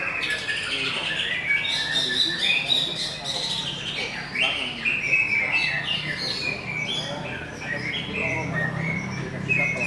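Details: Greater green leafbird in busser-style song, pouring out quick varied chirps, rising and falling whistles and scratchy trills in a continuous run, with low background murmur.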